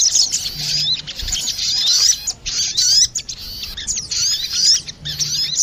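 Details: A crested jay pair, female and male, answering each other in a lure recording: choppy bursts of shrill chirps and upswept squeaks, interrupted by several short pauses.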